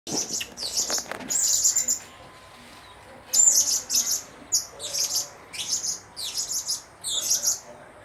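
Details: Blue-crowned hanging parrot giving short bursts of shrill, very high chirps, clustered into rapid trills and repeated roughly every half second to second, with brief quiet gaps between groups and a faint low background hum.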